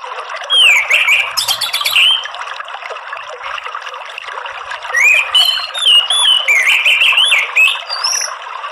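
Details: Orange-headed thrush in gacor morning song: long looping whistles that rise and fall, a run of rapid high chips, a quieter stretch in the middle, then more wavering whistled phrases mixed with thin high slurs.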